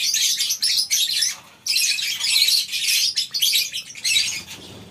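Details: Colony-housed lovebirds at a breeding farm on a morning, a crowd of birds producing bursts of shrill, high chirps and chatter that surge and break off briefly, with occasional wing flutters and low background noise.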